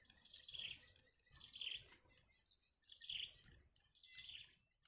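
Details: Bittern nestlings in the wild calling while awaiting the parent with food, four rasping high-pitched chirps at irregular intervals, quiet, with a continuous high tone in the background.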